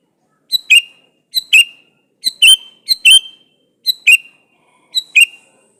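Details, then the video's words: Seven quick two-note phrases from a male sooty-headed bulbul calling to a female, each a thin note followed by a bubbly slurred one, delivered briskly over about five seconds. "suara burung KUTILANG jantan gacor memanggil betina"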